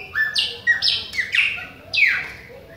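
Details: Chopi blackbird of the Bahia type, singing without pause at other birds. Loud, clear whistled notes, each sliding down from high to middle pitch, about five phrases in under three seconds over a faint low hum.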